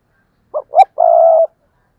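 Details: Spotted dove kept as a decoy, cooing to stir up wild birds: two quick rising coos followed by one sustained, slightly falling, husky note, with silence around.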